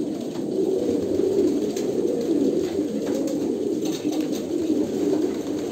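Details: Kolkata pigeons produce a dense bed of gentle, rolling coos, deep and muffled, individual phrases barely separable within the steady group murmur.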